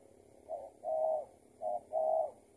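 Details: Spotted dove, a leg-tethered trapping decoy that had escaped, calling during a trapping session: two low hooting phrases, each a short coo followed by a longer, drawn-out coo, in a quiet setting.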